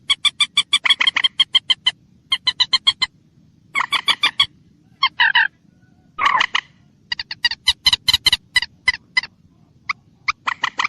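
Common moorhen giving loud, harsh clucking notes in quick runs of four to eight, with short pauses and a few sharper single croaks between them; a faint low hum underneath.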